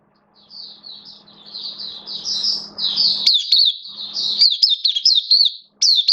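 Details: Singapore oriental white-eye kept in a cage, opening its song on 11 September 2022: a steady stream of high buzzy twitters building into fast sharp chips, about four per second, over low hum.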